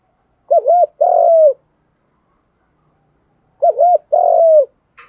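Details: Spotted dove coos in the 'gù đấu' contest style, from males and females, meant to stir birds during training. Two mellow phrases about three seconds apart, each a quick undulating note then a long, gently falling coo, with a faint click at the end.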